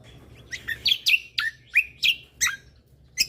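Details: Chatty lesser green leafbird singing in a spirited tutor recording: a steady series of about eight sharp, falling whistled notes, each rapidly swept downward, with light background hum.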